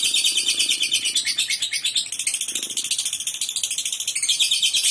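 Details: Lovebird in full, energetic voice: a dense, unbroken stream of high, scratchy chirps and squeaky twitters running for the whole stretch, with a faint low rustle in the middle.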